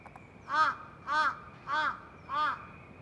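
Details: A large-billed crow at Lake Shikotsu, Hokkaido, on 24 April 2023, watching a person eat snacks, gives four harsh, hoarse caws, one about every 0.6 seconds, over a faint steady high hum.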